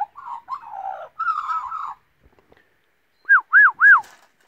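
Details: A pet baby Australian magpie about 5 months old, being taught to whistle and sing, gives a low warbling run of mellow notes, then three clear, arched whistles that rise and fall in quick succession.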